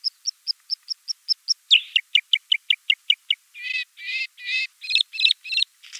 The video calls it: Варакушка (Luscinia svecica) - голос